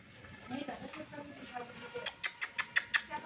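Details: A pet Indian ringneck parakeet talks in a speech-like run of syllables, ending in several sharp, high clicks or squeaks about three per second.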